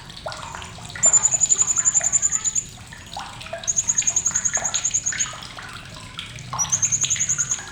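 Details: Three long bursts of sharp chattering from a blue-crowned hanging parrot, each a fast, even string of very high ticking pulses lasting over a second, over a continuous bubbling water-like background.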